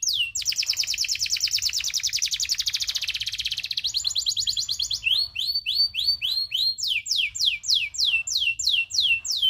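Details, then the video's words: Local canary in a tutor song with long rolls: an extended rapid buzzy roll lasting about four seconds, then ringing repeated downslurred whistles sweeping from high to middle pitch. "Masteran kenari loper ngerol panjang"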